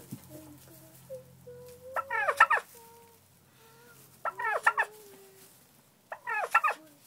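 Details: Turkeys kept in a barn: three loud, bubbling, rattling gobbles come about two seconds apart. Soft, drawn-out whistled peeps and low clucks fill the gaps between them.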